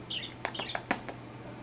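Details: Pet budgerigar chatting with funny head movements; a thin high squeak followed by a quick run of sharp clicks and chirps, irregularly spaced, over a low steady hum.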